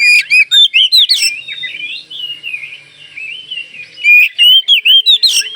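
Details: Oriental magpie-robin of the Kalimantan type in full song, used to get other magpie-robins to answer. Rapid loud rising whistles are repeated in a quick series, then a softer warble follows, and a second series of loud notes comes after four seconds.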